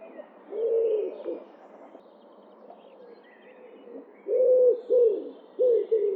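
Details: Common wood pigeon (Columba palumbus) recorded in the wild: deep, soft cooing phrases, a cluster near the start and another run of three coos after a quiet pause, with faint chirps of small birds higher up.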